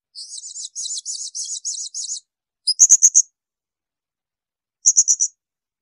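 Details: Blue-crowned hanging parrot, shrill bursts for training other songbirds: a quick run of squeaky, wavering high notes, then two short volleys of four or five sharp, piercing pulses separated by a pause.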